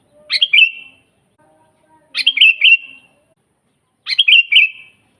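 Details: Sooty-headed bulbul singing vigorously, a natural recording without fill-ins: three matching bubbly phrases, each a sharp attack sliding into a warbled whistle, repeated evenly about every 1.9 seconds against near silence.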